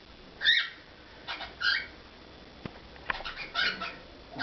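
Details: Pet cockatiel performing indoors: a few short whistled notes with harmonics, clustered in brief bursts with quiet pauses between, plus a faint click.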